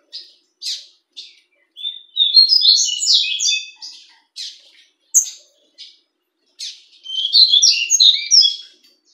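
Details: Caged double-collared seedeater (coleiro), a fulvous-coloured bird kept by an amateur breeder, singing bright, high phrases: short separate chirps, then fast run-together trilled and warbled bursts, repeated in two long rapid sequences.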